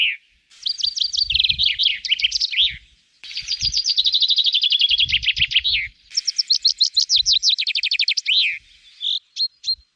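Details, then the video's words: Common chaffinch singing in the wild, a male song marking territory and attracting females: three rapid cascading phrases of sharp repeated notes, each sliding downward and closing with an emphatic flourish, separated by short gaps, with faint low knocks. "Aún así, el canto es fácilmente reconocible, ya que suele terminar con un característico y enfático floreo."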